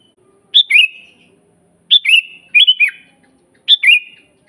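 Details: Training master of a sooty-headed bulbul: four cheerful whistled phrases, one a hurried triple, each sliding down into a sustained lower note, over near silence.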